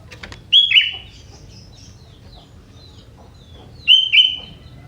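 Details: Young forest sooty-headed bulbul singing prinia-style fill: two loud, bright whistled phrases about three seconds apart, each a sharp note followed by a quick downward slur, with faint chirps between them.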